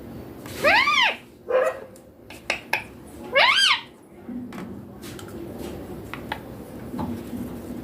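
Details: Baby green Indian ringneck parakeet, said to talk clearly in Hindi (mummy papa), gives two loud arched harmonic phrases about three seconds apart with short clipped sounds between, followed by quiet room noise.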